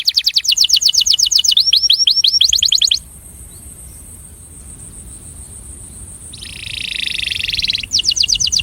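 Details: Breeding male canary attraction song: fast repeated whistled notes and a brief rolling phrase, a quiet gap, then a high buzzy roll and more rapid repeated notes.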